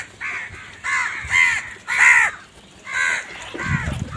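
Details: Crow calling in the morning while searching for food: six loud harsh caws, each about a third of a second, repeated roughly every half second to second with short gaps, over faint low background rumble.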